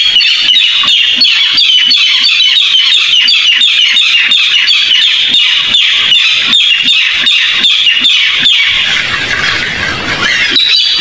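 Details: Barred rail call used as a trapping lure: harsh, squawking high notes in a fast series of about three per second, ending in a burst of rough noise.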